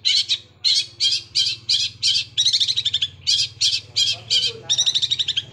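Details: Long-tailed shrike in gereja Kunti style, with a rolling tempo likened to a sewing machine: repeated harsh, buzzy high chirps, spaced evenly, then a quicker stuttering run near the end.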